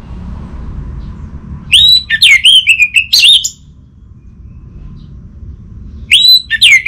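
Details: Orange-headed thrush, caged bird in Bali, bursting into loud rich phrases of looping, warbling whistles after a quiet start, pausing, then starting another phrase.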